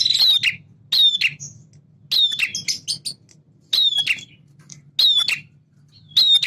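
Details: Male prinia in full song, a blend of semi and klawu styles used to excite caged birds: harsh buzzing phrases with sharp high clicks, repeated about once a second, over a low steady background hum.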